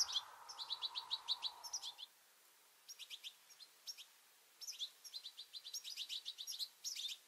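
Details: Goldfinches, including juveniles, squabbling at a two-port garden feeder; bursts of quick, high, twittering chirps in clusters separated by short pauses, with a soft low rushing noise during the first two seconds.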